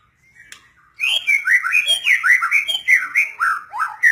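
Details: White-rumped shama bursting into a continuous, lively run of clear whistled notes, each slurring up or down, about three per second. The phrase is loud and melodious.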